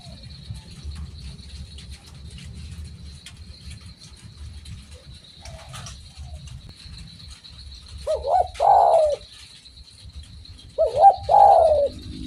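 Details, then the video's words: Spotted dove (derkuku, tekukur) cooing, two short throaty cooing phrases near the end after a long quiet stretch, over a low rumbling hum and a steady thin high-pitched whine. "BURUNG DERKUKU MANAPUN PASTI IKUT BUNYI DENGER SUARA INI"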